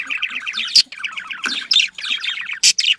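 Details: Budgerigar mating call played to encourage pairing: fast rippling chirps in a steady warble, interrupted by several short harsh squawks.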